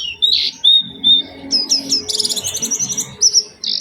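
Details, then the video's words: Oriental white-eye lure song in a special melodic style, played to prompt other white-eyes to sing: thin high whistles, then a rapid buzzy trill of repeated notes, ending in a sharp high note. "Pancingan Burung Pleci Gacor Cengkok Istimewa"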